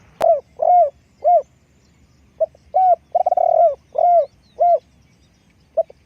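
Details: Spotted dove kept as a decoy for luring its own kind, giving loud mellow coos with a slightly falling pitch, in two phrases of several notes separated by a pause, one note rolled and vibrating, over faint low background rumble.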